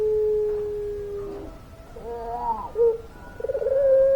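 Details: Barbary dove of the puter pelung type ending a long low coo, then a quiet gap, rising bubbling notes, a short coo and a new steadily held low coo.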